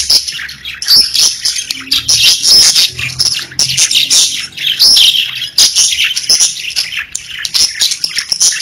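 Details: Pet budgerigars chirping and singing together: a dense, buzzy warble punctuated by sharp tweets and brief whistles, with short breaks between phrases.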